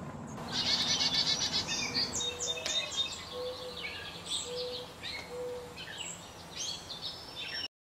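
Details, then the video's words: Black-capped chickadee, possibly a hybrid with Carolina chickadee, fussing at a feeder at 4000 feet in the Great Smoky Mountains in warm weather; a burst of harsh buzzy notes for two seconds, then scattered high thin chirps, with a low tone repeating beneath. "Black Capped Chickadee Call and Song"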